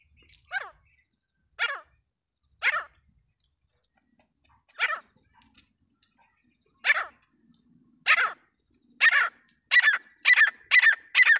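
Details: Grey francolin calling: harsh, downward-sweeping notes spaced about a second apart, then speeding into a rapid run of closely repeated calls at the end. The surroundings are otherwise quiet.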